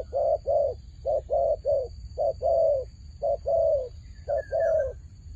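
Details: Fighting turtle dove cooing steadily in a rhythmic series of short and longer low hollow notes, about ten in five seconds, with faint high chirps near the end.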